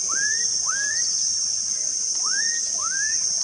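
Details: Black-capped donacobius at REGUA Wetland Reserve, 5/3/16, gives four clear, rising whistles in two pairs, each sweeping sharply upward, over a steady, loud high-pitched insect drone.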